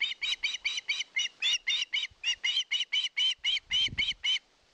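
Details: Osprey at a nest on a live nest camera in Satakunta, Finland, 2022, begging for fish: a rapid series of about nineteen sharp, high, squealing notes, roughly four per second, with a soft low rustle near the end.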